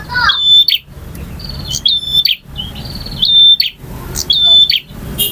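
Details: A male prenjak, the bar-winged prinia, sings buzzy high trills ending in clear whistled notes, about one phrase a second, in its varied ngalun and kristal styles.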